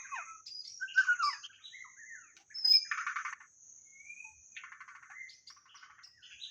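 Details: White-rumped shama song played to lure birds: varied whistled phrases, slurred notes and scratchy buzzy bursts mid-clip, with a steady thin high whine throughout.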